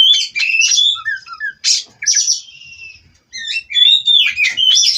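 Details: Oriental magpie-robin on a perch in a cage, mixing harsh buzzy notes with sweet whistled slurs and quick chattering figures, pausing briefly mid-phrase.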